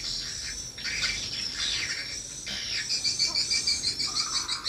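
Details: Swiftlets responding to a lure playback at a small swiftlet house: a wash of high twittering, then a run of sharp repeated chirps at a quick, steady pace.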